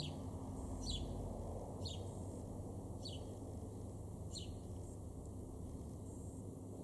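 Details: Male house sparrow in a garden in Weener, East Frisia, northwest Germany, October 2022, gives short, sharp, downslurred chirps about once a second over a steady background hum and low rumble.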